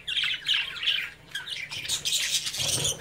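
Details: Caged budgerigars, babies playing under their parents' watch, give loud, grating squawks and chirps in a rapid stream, several birds overlapping, with a short dip before the noisy chattering resumes.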